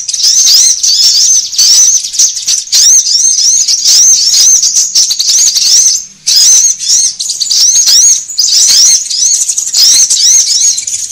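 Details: Sunbird lure sound used by bird trappers to draw birds together: dense, continuous high chittering of rapid arched notes that sweep up and down, packed with almost no pauses except a short break midway.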